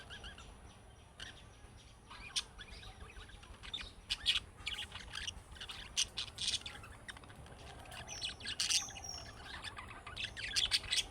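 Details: Budgerigar calls in the style of chicks calling, meant to get other budgerigars to answer: scattered bright, high chirps and short squawks, irregular and chattering, over a quiet steady background.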